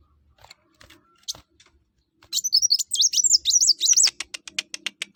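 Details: Singing kuwul, or kolibri wulung, a sunbird: a dense, fast jumble of very high twittering notes for nearly two seconds, followed by a string of sharp, evenly spaced ticking clicks that slowly fade.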